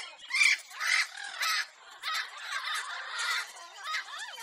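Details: Pet lorikeet kept in a home, recorded to entertain parrots: a run of shrill, raspy screeches about twice a second, harsh and high-pitched, ending with a few quicker rising notes.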